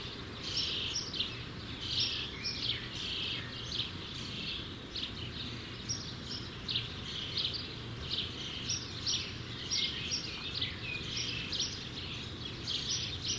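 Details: Near-fledging starling nestlings calling in a steady stream of short, scratchy, high chirps and rasps, several per second, fairly quiet against a background hum.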